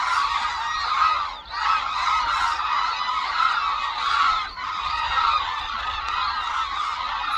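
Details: Wintering hooded cranes flying over Suncheon Bay Wetland, South Korea: a thick wall of overlapping trumpeting calls from a large flock, with two short pauses in the chorus.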